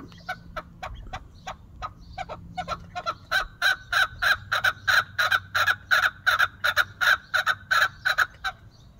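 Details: Partridge in a happy mood calling in a fast, steady series of short, clipped notes, about three each second, starting softer and growing louder and more regular after a few seconds.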